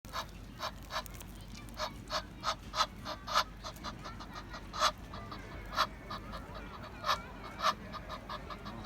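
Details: An Egyptian goose (Alopochen aegyptiaca) gives harsh, nasal honks, short and repeated at an uneven pace, about two a second, over a faint background hiss.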